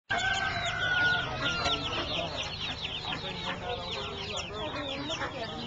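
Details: Crowd of baby ducks for sale at a local flea market, 27 September 2008, peeping nonstop, with high, quick, downslurred cheeps overlapping from many birds, over a low murmur of background noise.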